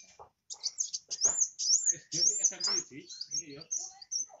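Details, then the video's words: Grey-cheeked bulbul, known locally as kowul or kolibri wulung, singing actively, used as a lure to spur quieter birds: a rapid, continuous twittering of thin high chirps and trills with short pauses. "burung kowul/kolibri wulung gacor !! jadikan pancingan kowul kurang gacor"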